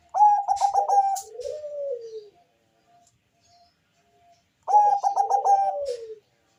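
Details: Bangkok-type zebra dove with a thick, bassy voice, singing to lure other doves into calling: two full songs, each a brisk run of clipped, ringing coos followed by a long, softer, falling coo, with a quiet pause between.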